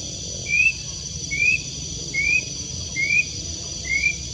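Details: Plaintive cuckoo, locally called wiwik kelabu, cirit uncuing or wit tutuit in Indonesia, giving short clear whistled notes that slide upward, repeated about every 0.9 seconds, five notes, over a steady high background hum of insects.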